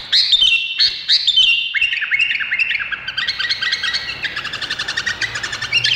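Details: A bulbul, described as Indonesian, sings a lively, unbroken stream of bright whistles and chirps, shifting into quick rattling trills of high, rapid notes.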